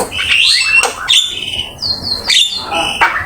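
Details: Javan myna in full song for bird training: rapid chattering, clear high whistles and harsh notes mixed together, loud and continuous with brief gaps.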